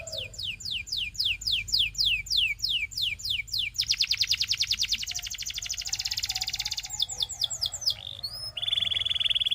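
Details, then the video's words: Belgian canary singing as training for young canaries: evenly spaced falling chirps, a long fast rattling trill, more descending notes, and a closing buzzy trill. "SINGING TO TEACH BELGIAN CANARY"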